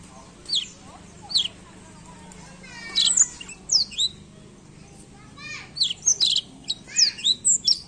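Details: Black-throat singing in scattered bursts of high, sharp rising and falling whistles, with a quick rattling trill near the middle and a busier run of notes toward the end. A low steady hum sits underneath.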